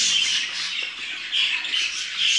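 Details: Several caged pet budgerigars in a Turkish home flock, a pair having laid a fourth egg, chattering in a dense, buzzy warble with sharp squeaks throughout.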